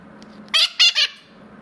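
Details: A pet mitred conure indoors gives three quick, harsh, loud squawks in a row.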